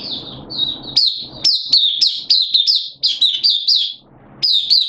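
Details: Caged oriental white-eye singing on 8 September 2022, its form dipped a little: after a noisy start, lively high chirps follow in rapid succession, slurring up and down, with one short break.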